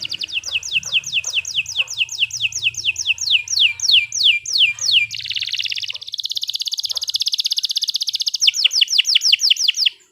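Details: Canary in long, lively song for use as a master tutor for other birds: series of descending swept notes, then a buzzy rapid rattle and a final run of quick sweeping notes.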